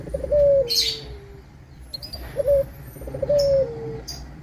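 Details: Local Indonesian zebra dove in full song, used as a lure to provoke rival doves into answering: clear, mellow cooing notes, each held then gliding slightly downward, in two phrases, with faint chirps from other small birds.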